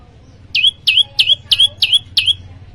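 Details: Energetic song from a prenjak lumut, a prinia of Indonesia: six sharp, downslurred notes ending in a short flat tone, evenly paced around three per second, with low background hum.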